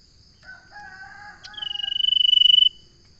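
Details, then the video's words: Common iora song: soft whistled notes, then a loud sustained high note with a fast pulsed, buzzy texture lasting over a second before it stops abruptly. A steady high insect drone runs throughout. "Suara burung sirtu/ Suara burung Cipo/ Suara burung Cipow/ Suara burung cipoh"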